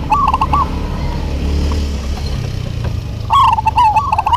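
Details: A local zebra dove duet: one short trilled coo phrase, a pause with low rumbling background, then a longer bubbling run of quick coo notes with clicks.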